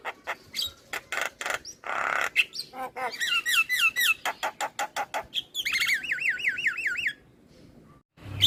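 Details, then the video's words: Male black-winged starling song for luring starlings, opening with sharp clicks and harsh notes, then repeated looping whistled phrases and a rapid warbling trill before a brief pause. "Ocehan Jalak Kebo Jantan Untuk Pancingan Segala Jenis Burung Jalak"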